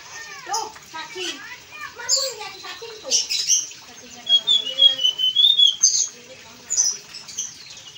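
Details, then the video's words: Blue-and-white flycatcher in lively full song, offered for training young kept birds: a high thin whistle wavering near the top, mixed with lower sliding, twangy notes and quick bursts of chirps. "sikatan biru muda gacor"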